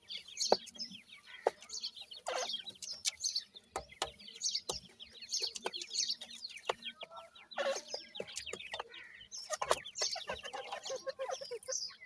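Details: Francolin chicks (dakhni teetar) peep in a constant overlapping chorus of high, short, falling notes, repeatedly interrupted by crisp clicks and taps.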